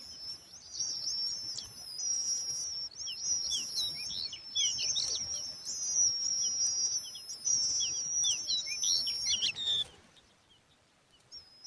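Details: Thirsty, hungry young lark chicks: continuous high, thin twittering with many squeaky slurred notes, loud and overlapping for about ten seconds before falling almost silent.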